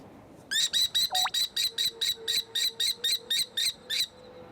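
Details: Common Kestrel chicks in a nest on a high-rise apartment balcony in a Korean city give a rapid series of about fifteen harsh, high screeching notes, roughly four per second, against a faint low hum.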